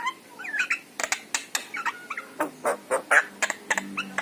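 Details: Yellow-eyed Javan myna song, played to draw pet mynas into song: curling whistled slurs at first, then rasping, bursting notes repeated about every quarter second.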